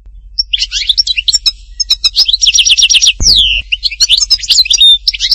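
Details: Hattatba, Tipaza European goldfinch in full song: fast chattering twitters and buzzy trills, a descending nasal slur midway, and a faint low thump.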